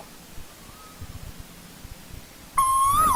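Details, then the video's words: Asian koel calling in old-growth forest, a faint whistle early on, then after a quiet gap a loud, pure whistled note that climbs gently and falls away as the recording ends. Soft low rumbling beneath. "Tiếng chim TU HÚ rừng già"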